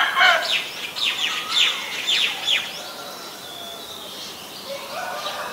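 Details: Female Asian koel giving a quick run of sharp, downward-sliding notes, about five in under three seconds, then falling quiet, with faint whistles of other birds behind.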